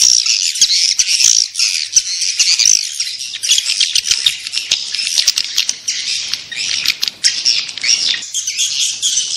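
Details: Swiftlet calls used to attract swiftlets: a continuous, high-pitched mass of chirping and twittering with busy, overlapping chatter and no pauses.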